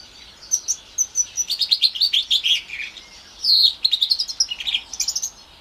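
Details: Four-month-old house finch x Timbrado canary hybrid singing: a string of evenly spaced sharp chirps, a short pause, then a louder buzzy note leading into fast twittering.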